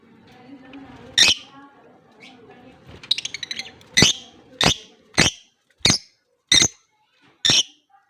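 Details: A blue personata lovebird or an albino one, as a pet, gives sharp, shrill single chirps about every half second to second after a quick rattling burst; faint voices murmur at the start. Lovebird.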